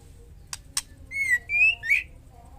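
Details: Female white-rumped shama in breeding condition calling to a male for mating: two sharp clicks followed by three loud, slightly rising whistled notes in quick succession, with faint background hum.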